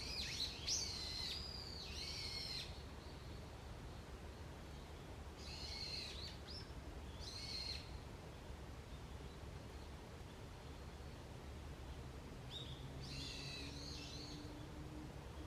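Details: Wild birds calling in woodland at early morning in autumn, with three bursts of rapid, high, scratchy chattering notes separated by quiet stretches with a constant low hum of environmental noise.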